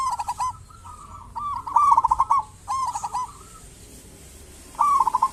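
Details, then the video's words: Local zebra dove in active song, meant to lure other zebra doves into calling: soft coo phrases open with a rapid stutter and run into longer rolling notes, with a pause of about a second before the last phrase. "Perkutut lokal gacor cocok buat pancingan burung perkutut"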